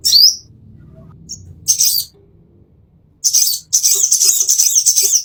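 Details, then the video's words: Plain-throated sunbird master song for training caged birds: a sharp high upslurred note, then after a pause a dense, fast, high-pitched chattering twitter. "masteran konin isian mewah"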